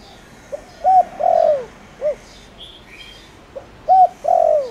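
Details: Lure spotted dove of the 'thổ đồng' voice type, singing to provoke wild birds; soft mellow coos in a falling pattern, one complete phrase then a second beginning, with a few faint chirps in the background.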